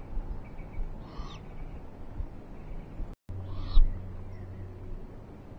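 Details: Eurasian eagle-owls on a live nest camera, 21 March 2023, rain-soaked then sun-dried: a pair of brief, harsh, screechy calls roughly two and a half seconds apart, with a short dropout and a thump between them over low background hum.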